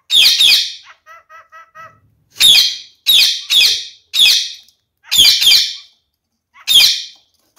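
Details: Female budgerigar acting aggressively toward a recently paired male: harsh, loud, broadband squawks in short bursts, about seven over eight seconds, with a brief soft series of chirps early on; indoors, no other sounds.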